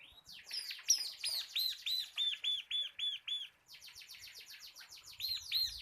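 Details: Local crystal 'kapas' bar-winged prinia singing actively, a tutor and lure recording for caged birds in the rapid 'ngebren' style: high whistled arched notes repeated about three per second in a steady run, then a denser buzzy trill, then more arched notes.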